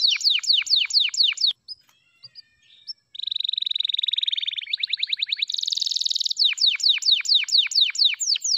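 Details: Singing F2YS canary with a long varied song. It opens with a run of repeated downward-sweeping whistles, pauses briefly, then moves through fast even trills at different pitches and returns to steeply falling strokes.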